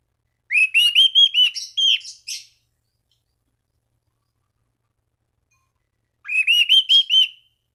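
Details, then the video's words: Orange-banded thrush, singing gacor to stimulate other thrushes: two rapid runs of repeated slurred whistled notes, each about two seconds, separated by a long silence, no other sounds. "Anis Cendana Gacor MEMANGGIL LAWAN Pancingan burung anis lain agar berkicau"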